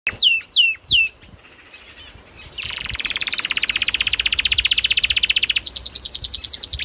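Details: Songbird singing outdoors: three sharp descending whistled notes, then a long, fast, buzzy trill of rapidly repeated notes, ending in a higher, thinner rapid series.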